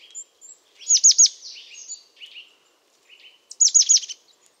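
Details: European crested tit singing: two bursts of high, thin, rapidly repeated notes with short downward strokes, the first near the one-second mark and the second toward the end, each with a softer trailing buzz between them.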